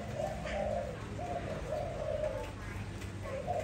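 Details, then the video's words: Soft, low staccato cooing from a kept Malay dove, a few quick rolling phrases partly masked by strong low rumbling background noise. "sound of Malay dove"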